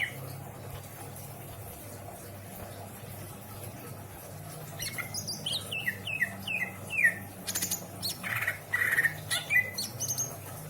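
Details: Caged greater green leafbird from Indramayu, Indonesia, with isian song: quiet at first, then a burst of descending whistled notes around midway, followed by harsher, scratchy chattering phrases toward the end.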